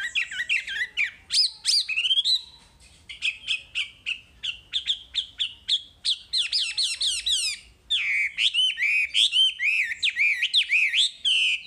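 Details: Long, busy wambi masteran song: squeaky slurred notes, then a run of fast, evenly spaced ticking chips, followed by dense, energetic jumbles of rising and falling whistles without pause.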